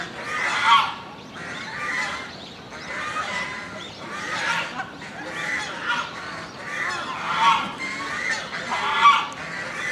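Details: Captive swan goose at Inokashira Park Zoo, Japan, recorded in October 2018, giving loud nasal honks in a series of about seven, each a harsh harmonic blast spaced roughly every second and a half.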